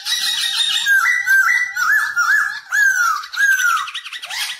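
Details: Black-throated laughingthrush singing while dancing, a caged bird used to train young birds to sing: rich whistled phrases around the middle register, rising slurs and falling swoops, several bright downward glides, with buzzy harmonics above.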